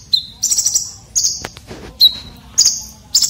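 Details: Sharp, rough filler song from a red-breasted konin, used to tutor competition birds. Lower pure whistles open each phrase before a shrill, fluttering trill, with phrases repeating about every second.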